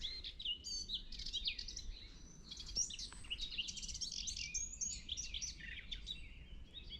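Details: In a forest on 23 April 2024, during spring migration, a probable Garden warbler (Sylvia borin) pours out a fast, rambling, high, scratchy-sweet warble without pauses over a low rumble. It was first thought a song thrush, then judged not a blackcap because it lacks the flute-like ending.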